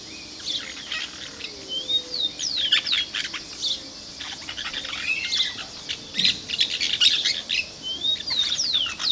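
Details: Plain parakeets (Brotogeris tirica), recorded 2 December 2012, give shrill, high chattering chirps and short screeches in a busy overlapping stream, with a few softer, lower whistles beneath.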